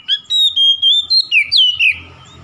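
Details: Oriental magpie-robin singing to provoke a rival, a quick string of short clear whistles, level notes then sharply falling slurs, ending in a soft fading tail over a low background hum.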